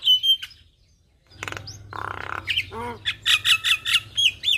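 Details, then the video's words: Javan myna singing energetically in a gacor style packed with varied phrases: a high steady whistle, then harsh buzzy bursts, a descending stack of notes, and a run of sharp repeated chips near the end. "Jalak Kebo Gacor Full Isian"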